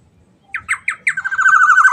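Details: Black-naped oriole song: three harsh notes spaced evenly, then a fast, steady rattle of repeated fluttering syllables.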